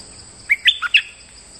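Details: Moulting bulbul singing normally for use as a lure: one brisk phrase of four clear whistled notes, rising then dropping, then a higher closing note, against a faint constant high-pitched tone.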